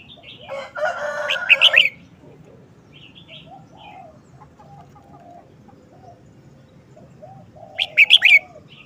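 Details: Red-whiskered bulbul showing a short, busy song phrase: a rapid cluster of bright whistled notes near the start and another about six seconds later, with a harsh, crowing sound preceding the first and soft low calls between.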